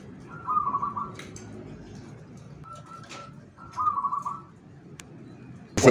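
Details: Local zebra dove (perkutut) from Yogyakarta, Java, Indonesia, singing a rarely known rhythm sought by collectors: three short rolling coos held near one pitch, each about a second long, over a low background hum and ending in a sharp click.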